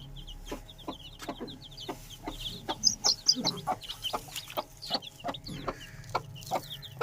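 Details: Aseel chicken chicks kept at home: a stream of high, thin, downward-slurred peeps repeated rapidly and unevenly, mixed with sharp tapping clicks and soft low clucks, over a steady low hum.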